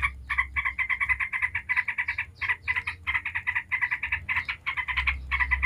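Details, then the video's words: Yellow-vented bulbul singing in the 'ngebren' style, a busy lure song meant to set other bulbuls singing: dense runs of rapid bubbly chattering notes, short gaps between bursts, over a steady low hum. "Trucuk ngebren bikin ribut trucuk manapun dijamin langsung nyaut ribut"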